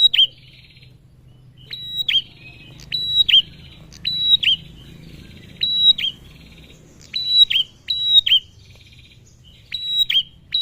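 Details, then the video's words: Male Bar-winged prinia calling as a lure for other prinias and ciblek: roughly nine rapid high phrases of click plus steady whistle with a falling tail, some in quick pairs, over low background rumble. "Suara Prenjak Tamu Jantan Gacor"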